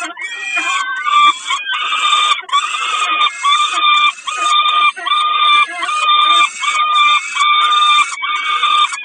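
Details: Peregrine falcon calling insistently during a snack at Kawęczyn, 20 May 2022: rapid, grating, harmonic notes chained almost without pause, pulsing slightly more than once per second.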